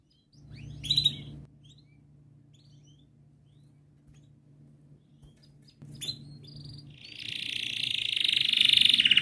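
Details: Canary song, played as a lure to coax silent young canaries into singing. A few faint high chirps come first, then a loud, buzzy, high rolling trill builds up and continues to the end over a low background hum.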